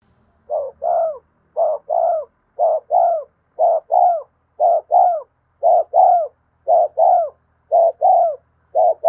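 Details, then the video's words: Spotted dove giving the 'thúc gù' cooing style, recorded in the afternoon: hoarse low two-note coos, a short note then a longer downslurred one, repeated steadily about once a second for nine seconds in a quiet setting. "tiếng cu thúc gù hay và liên tục"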